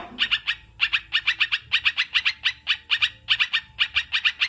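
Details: Rapid, scratchy chattering from a sooty-headed bulbul, intended as therapy to make kept birds sing and reduce stress; notes come in threes and fours almost without pause.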